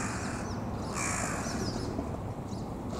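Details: Crow attacking white wagtail chicks on a roof on a May day; a single harsh, rasping caw lasts about half a second near the middle, with thin high chick chirps and steady outdoor background noise throughout.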